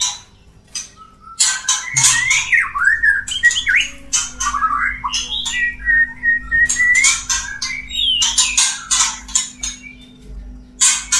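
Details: Male white-rumped shama courting a female, a mating call: rich varied whistles, slurred rising and falling notes around the middle range, mixed with sharp broadband chattering clicks and squawks, a steady low hum underneath.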